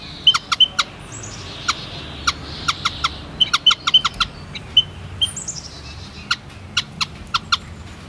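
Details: White-headed munia giving scattered short, high, whistled notes. Numerous sharp clicks come in bursts over a soft background hiss.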